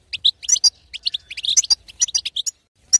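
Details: Short burst of betbeta calling by a female European goldfinch, used to urge a silent male to sing; crisp, high tweets in quick succession, ending with a lone chirp after a brief gap.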